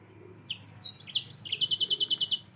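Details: Gacor song of a yellow-fronted canary for bird-tutoring use, opening with sharp downslurred whistles that run into a fast, steady, very high trill of repeated notes lasting about a second.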